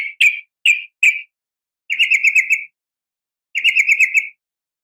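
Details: Female yellow-vented bulbul calling to stir males: three separate bright chirps, then two short buzzy trills of rapidly repeated notes, in a quiet setting.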